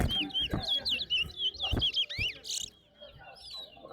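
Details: Towa-towa singing in a bird singing competition at Lusignan: a fast run of clear, slurred whistled notes, about four a second, ending in two rising whistles, with sharp knocks and a man counting aloud nearby.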